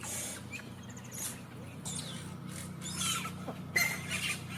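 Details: A yellow-rumped cacique, a colonial nester, makes a lot of noise, which the speaker says they do when they have eggs: harsh, squeaky bursts and rasping notes about once a second, over a steady low mechanical hum.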